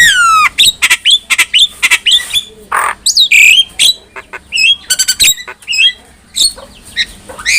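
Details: Black-winged myna performing training song for other mynas: a descending whistled opening followed by quick chattering clicks, harsh squawks and bright slurred whistles in dense, varied bursts.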